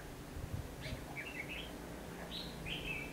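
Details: Red-whiskered bulbul recorded during bird trapping on 19 November 2015, a decoy luring wild birds: short bright warbled phrases sweeping between high and mid pitch, several in quick succession, over steady low rumbling background noise.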